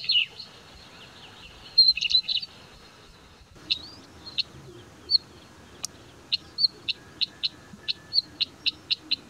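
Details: A Northern Wheatear high in mountain broom scrub gives a scratchy, high warble of squeaky notes, then a fast, even run of short clicking ticks, about two or three each second.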